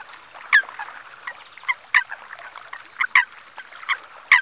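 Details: Eurasian coot at Ses Salines de Mongofre, Menorca, 6 February 2020, 9:00, giving short, sharp, metallic notes at irregular intervals, about eight in under five seconds, over soft chatter of other waterbirds.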